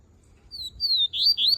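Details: Double-collared seedeater, called coleiro, singing its melodic song: a short phrase of clear, high whistled notes that slur slightly down, then quicken into brighter rising and falling whistles toward the end, over a quiet room.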